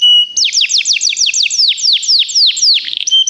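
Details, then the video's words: Canary song for song training: fast series of bright descending whistled sweeps repeated about four times a second, opening and closing on a steady high whistle. "Canários Begie cantam muito - o melhor treinamento canário para você"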